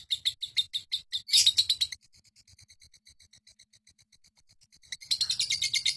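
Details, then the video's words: Lovebird in a long ngekek trill prized for contests: rapid high chattering pulses, a loud burst, then a softer stretch of quicker ticking notes before the loud shrill chatter resumes. "Suara Lovebird ngekek super panjang durasi 7 menit up"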